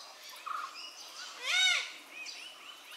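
Malabar grey hornbill giving a single loud, harsh, arched squealing note, with faint chirps of other small birds around it.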